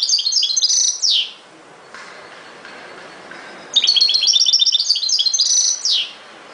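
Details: European goldfinch delivering fast, high twittering phrases, each closing with a sharp downward-sweeping note, two phrases separated by a short silence.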